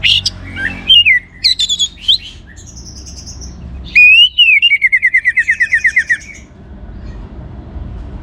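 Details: Vigorous song of an orange-headed thrush, played to prompt other birds to sing: scattered high chirps and slurred whistles, a pause, then a fast rhythmic series of about twelve clear repeated whistled notes, with a faint high trill above.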